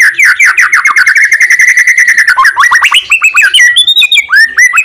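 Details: Loud white-rumped shama song meant to prompt silent shamas to sing: a fast run of rapidly repeated whistled notes, then quick upslurred chips and twisting whistled phrases.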